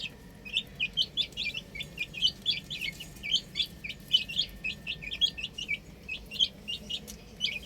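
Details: Rooftop chicks calling: evenly spaced high piping chirps, roughly three or four per second, clear and persistent throughout.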